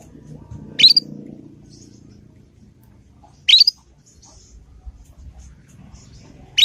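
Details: Juvenile Yorkshire canary practising its ngriwik call, played as a lure to make other canaries answer and imitate: brief rising chirps repeated roughly every three seconds, with quiet low background rumble between them.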